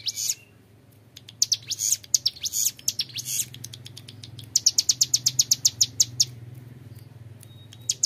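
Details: Young mountain prinia with long ngebren song: scattered high ticks, then evenly spaced rapid trains of bright sharp notes about six per second, fading out near the end.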